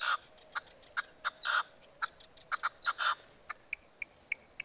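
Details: Common nightingale singing on 12 March 2015: a varied phrase of loud clicks, rich chuckling notes and brief rattles, ending in a series of pure, high whistled notes repeated about three times a second.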